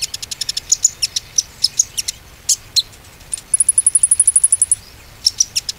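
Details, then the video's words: Konin song used as a lure to get silent konin birds singing again: rapid high chirps and sharp notes, then a fast even trill of about fifteen high ticks, followed by a few more chirps. "PANCINGAN KONIN ‼konin macet pasti gacor kembali"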